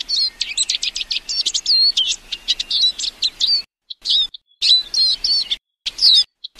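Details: Eurasian siskin singing a rapid high-pitched twittering warble of chirps, buzzy trills and nasal wheezing slurs, breaking off into short separated bursts with sudden silences, loud and clean with nothing else audible.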